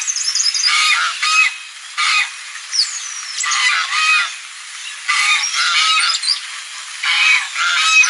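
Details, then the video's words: Loud geese on a lagoon, giving repeated coarse honks in clustered outbursts separated by brief lulls, some calls rising in pitch, over a constant background hiss. "Som de Ganso – Ganso fazendo Barulho na Lagoa"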